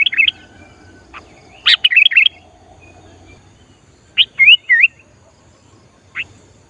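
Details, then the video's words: Sooty-headed bulbul in full song, used to draw wild bulbuls in during trapping practice. Two bubbly phrases of short curling whistles, about two and a half seconds apart, with single sharp notes before and after. "Kutilang Gacor Memancing Kutilang Liar"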